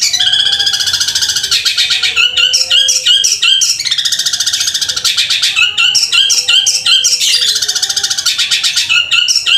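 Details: Long-tailed shrike singing long and loud, in the gereja and kunti styles: rapid harsh chattering bursts and buzzy phrases repeated in cycles of about three seconds, with soft low whistled swoops beneath.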